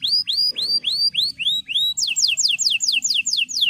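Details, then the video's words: Male canary song for training young canaries: a series of rising, upswept whistles about three per second, shifting to a quicker run of steep descending notes. "Cuit Cuit Kenari Memanggil Lawan"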